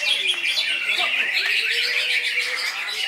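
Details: Greater green leafbird delivering loud koncer-style song, a continuous unbroken stream of rapid chirps, trills and slurred whistles with no pauses.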